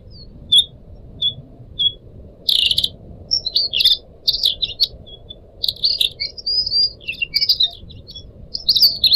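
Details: Caged Pied Trillers, the best of four pet birds with different owners, recorded as a tutor track for other birds, with trickling water. Isolated high chirps open the song, then loud buzzy bursts lead into a fast, sliding twittering warble.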